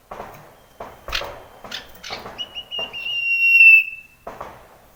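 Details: Common iora from the wild, meant to prompt lazy male ioras to sing: a long drawn, slightly wavering pure whistle holding over a second, preceded by a run of dry clicks and taps.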